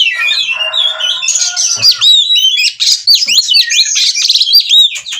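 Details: Oriental magpie-robin in breeding condition, calling to mate in an excited ngobra state: opening harsh buzzy rattle, then a rapid stream of loud, swooping V-shaped whistles and chips.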